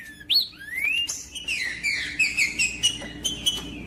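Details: Green-winged saltator song meant to warm up a cold captive bird kept for tournaments. It opens with a rising whistle, then a long series of bright downward-slurred notes and clicks over a faint hum.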